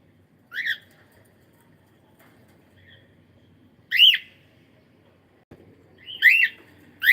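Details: Pet cockatiel calling during a live stream: three loud, rising-then-falling whistled calls spaced a few seconds apart over a quiet room background.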